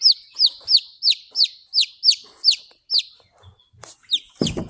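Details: Young Buff Orpington chick, hatched on April 17, 2023 and heard on April 28, 2023, peeping in shrill falling notes, roughly one and a half per second, then a pause and a thump of handling noise at the end.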